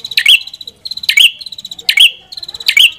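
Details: Red-headed prinia giving fast rattling trills that end in a sharp whistled note, four phrases in quick succession with faint background sound.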